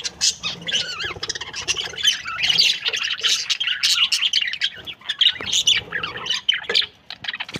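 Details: Two Australian budgies, a breeding pair said to be happy, warble steadily: rapid mixed chirps, clicks and rising squeaky notes in a nonstop chattering stream.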